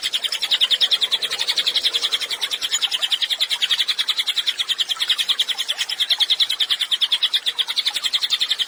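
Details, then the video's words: Actively singing cililin used as training song for songbirds: an unbroken stream of rapid, evenly pulsed high notes lasting over eight seconds, with a faint constant hiss behind. "CILILIN GACOR, MASTERAN HANDAL UNTUK BURUNG KICAU"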